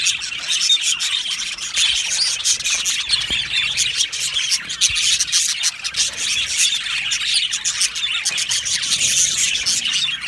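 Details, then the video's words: Colony of budgerigars kept in an aviary, constant bright twittering from many birds, clicks and short chirps layered over a continuous warbling hum. "Australian Budgie chirping sounds"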